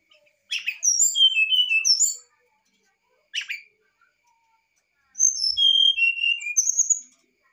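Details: Brown-chested jungle flycatcher singing its varied fluted song to lure an idle bird into song: phrases of pure whistles sliding downward, separated by a short harsh note and a silent gap, repeated twice.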